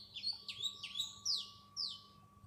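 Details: A black sparrow calls with about five sharp, bright chirps, each sliding quickly downward, a few per second, over a faint steady electrical hum.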